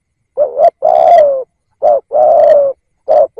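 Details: Spotted dove used as a decoy to attract wild doves, calling in quick succession: three two-part coos about every one and a half seconds. Each has a short throaty note, then a longer smooth coo. The last is cut off.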